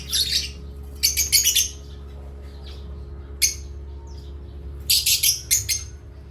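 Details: Playtime with Asian parrots chirping: clusters of loud, grating chirp bursts in rapid groups of three to four, separated by quieter thin calls, over a faint continuous low hum.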